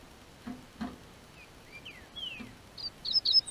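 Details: Double-collared seedeater from a registered amateur breeder in southern Brazil, singing as the weather warms: soft knocks and thin falling whistles, ending in a burst of loud high chirping notes.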